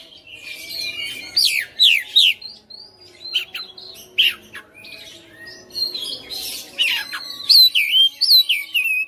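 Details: White-rumped shama kept at home, singing nonstop as a fighter type: steep downward whistled sweeps, harsh chattering bursts and bright rising slurs, strung together in a rich, varied run.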